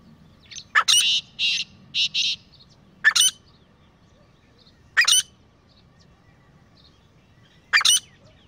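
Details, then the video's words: A pair of grey francolins calling in a village setting: loud, harsh, ringing notes, a few short bursts close together, then single calls spaced about two seconds apart. "Beautiful Sounds of Grey Partridge Pair | تیتر جوڑے کی آواز | Grey Best Francolin Pair Voice"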